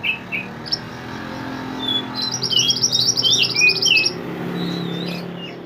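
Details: Mantenan from the mountains singing actively, recorded to train songbirds: a few opening whistles, then a rapid high buzzy trill interwoven with swooping whistled notes, and faint calls trailing off over low background noise.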